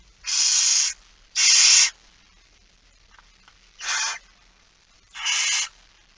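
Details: Barn owl begging during feeding, 06:57 on 13 September 2019: four breathy screeching hisses, the first two close together, later ones shorter and fainter after a quiet gap.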